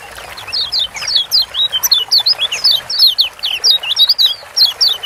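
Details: Kecial kuning, a Lombok white-eye, in a 'ciak joss' recording meant to get silent kecial singing; rapid high twittering of short rising and falling chirps, several per second, in dense overlapping bursts without pause.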